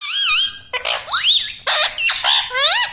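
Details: Pet parrot talking, mimicking the words "mummy papa": a run of loud, clear, voice-like syllables with rising and wavering tones, in several short bursts across three seconds.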